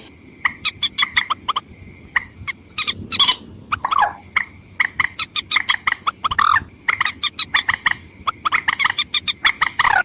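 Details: White-breasted waterhen call used as a lure for females and males: long, lively sequence of short, harsh, clipped notes in dense clusters, with occasional rougher squawks, over a constant faint tone and low rumble.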